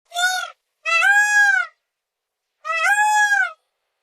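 A peacock gives three loud, nasal, wailing calls, a brief one followed by two longer slightly arched ones, about two seconds apart, with nothing else heard.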